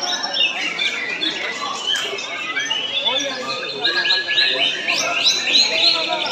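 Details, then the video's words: White-rumped shama singing in a bowing style: a dense, unbroken run of high whistles, chirps and quick rising and falling notes, with other bird calls overlapping throughout. "Murai Baru Gaya Sujud"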